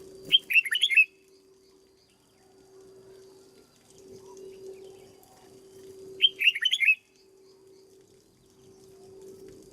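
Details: Red-whiskered bulbul kept in a cage for training, singing two short bursts of loud rolling whistled notes several seconds apart over a constant low hum.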